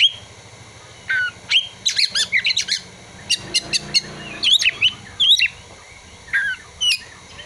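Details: Kacer (Oriental magpie-robin) song featuring imitated prinia and sunbird calls: dense clusters of twisting whistles, a fast series of high ticking notes in the middle, then spaced sweeping whistles.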